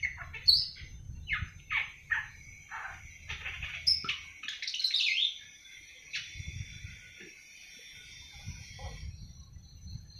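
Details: Young awar-awar bird, seven months old and starting to sing: quick high chirps and short buzzy twitters in uneven runs, pausing at times, with low rumbling noise in the background.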